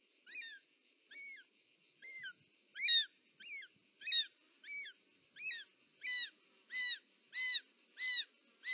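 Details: Short-toed snake eagle mother delivering a snake to the nest, Parc Natural dels Ports, Catalonia, 18 July 2024: a run of thirteen plaintive, down-curving whistled notes that grow louder toward the end, with a constant high background tone.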